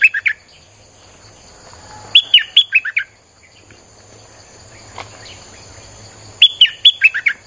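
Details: Streak-eared bulbul song used to lure wild birds: two quick bursts of loud, bubbly notes that dip downward, separated by a quiet gap with a constant high-pitched background drone.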